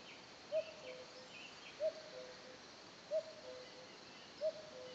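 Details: Common cuckoo calling in tranquil Le Lot, France: a clear two-note 'cu-coo', high then lower, repeated about every 1.3 seconds, four times, over faint insect buzz and distant high bird chirps.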